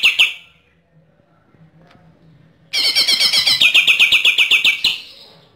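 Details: A Bornean green leafbird from East Kalimantan, Borneo, in the rapid 'AK-47' burst style: a brief chip, a near-silent gap, then a loud run of quick, repeated metallic notes layered with higher tones.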